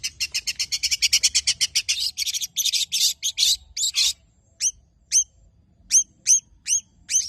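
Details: Rapid burst of high, buzzy repeated notes from a tame long-tailed shrike in rich mimicry song, thinning after four seconds into a series of short, sharply upslurred whistles spaced about half a second apart; used to coax other birds into singing.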